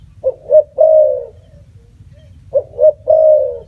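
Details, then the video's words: A spotted dove gives two soft, low coos and then a longer drawn-out coo, repeating the phrase about two seconds later over a faint low hum. "សម្លេងសត្វរលក . Bird sound spotted dove"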